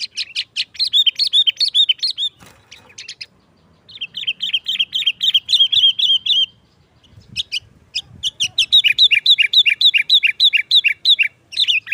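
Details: Sooty-headed bulbul singing a sharp 'nggaruda' style song, played as a trapping lure to make bulbuls noisy: long runs of rapid, repeated chattering notes in dense bursts, broken by short pauses.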